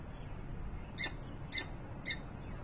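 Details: At a Harrisburg, Pennsylvania nest on 28 November 2020, a peregrine falcon utters three short, bright, grating calls spaced about half a second apart, with a low hum beneath.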